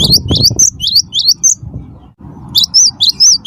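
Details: Cinereous tit, wingko type, singing as a lure for other birds: close, loud series of high swooping whistles, a short pause, then more rapid ringing notes, with some low knocking noise.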